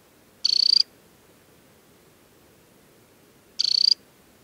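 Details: Temminck's stint on the Hardangervidda plateau in Norway, an adult in summer plumage at Tinnhølen lake in early July: two crisp, very high, rattling trills roughly three seconds apart against near silence.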